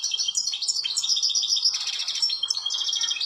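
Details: Nonstop goldfinch song in a natural setting, a bright jumble of tinkling notes, rattling trills and buzzy phrases, over a soft constant background hiss.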